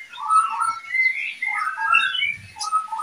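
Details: Breeding pair of oriental magpie-robins producing a dense, continuous jumble of warbling whistles that rise and fall without a break.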